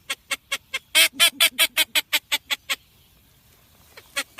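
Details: Blue-winged teal sounds for Dominican hunting: a quick string of short nasal pulsed notes, about five per second, breaking off into near silence before resuming softly.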